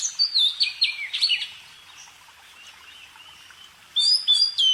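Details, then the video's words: Bird song: high, bright whistled phrases with sliding notes at the start, a quiet faint stretch in the middle, then a renewed burst of rapid looping whistles at the end. "kicau burung"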